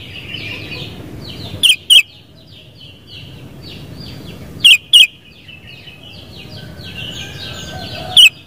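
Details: Sooty-headed bulbul giving loud, bright paired notes about three seconds apart, sharp and bubbly, over a steady background chorus of softer chirping birds.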